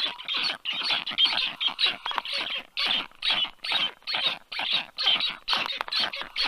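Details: Black stork nestlings at the nest, 4 July 2022 at 1:30 p.m., calling as a strange stork lands above: harsh, hissing, rasping calls repeated about twice a second in a steady, crowded series.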